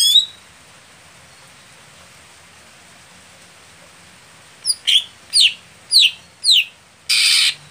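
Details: Greater green leafbird kept for song contests, described as slow to warm up. After a long quiet stretch, five sharp descending whistled notes come in quick succession, followed by a short burst of hissing noise.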